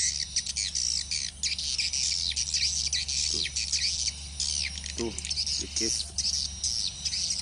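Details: Swiftlet lure call (suara panggil) played through speakers from a sound player while waiting for swiftlets to respond; dense, continuous high twittering chirps and trills, with a steady low hum and a few brief lower notes.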